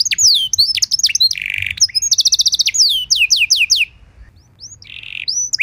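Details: Canary singing a training song for teaching other canaries; sharp falling whistles and a low buzzy burst, then a quick rhythmic trill and downward notes before a short pause and another buzz.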